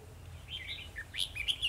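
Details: Caged red-whiskered bulbul acting as a trapping decoy, singing to fight rivals, 2 December 2020. One quick warbled phrase of slurred chirps rising and falling, over faint low background noise.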